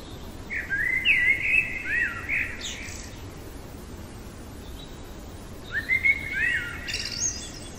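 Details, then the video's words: Common blackbird singing in the middle of the night: two fluted, warbling phrases around two to three kilohertz, the first ending in a high squeaky twitter, a quiet gap of about three seconds between them; low background hiss. "Merle chantant au cœur de la nuit"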